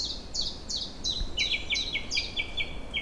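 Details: Spring chorus of just-arrived birds in April woods and meadows by a flowing river. A loud, fast song of crisp downward-slurred whistles repeats several times a second, shifting to a slightly lower register halfway, over a soft rushing background.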